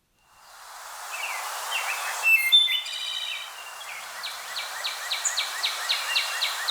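Wood thrush song: soft low opening notes, a clear flute-like phrase with two pitches sounding at once, then a rapid trill of quick falling notes over faint hiss.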